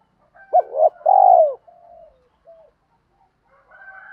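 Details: Spotted dove cooing as a lure to provoke wild birds: one strong phrase of hooked notes and a long rolling coo, followed by fainter softer coos.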